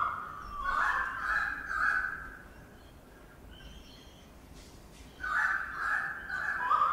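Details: Currawong building a nest early in the morning right above a birdbath in Sydney; two bursts of ringing, mid-pitched calls with a harsh edge, one at the start and one near the end, separated by a quiet gap.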